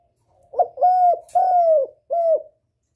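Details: Lure call of a spotted dove used to draw in a male: a brief hooked note leads into two long, slightly falling coos and a short closing coo, with no other sounds.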